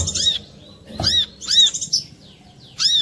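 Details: Brown-throated sunbird lure song: piercing, arched chirps, each with a buzzy edge, in three or four quick bursts over a low background murmur and one soft knock.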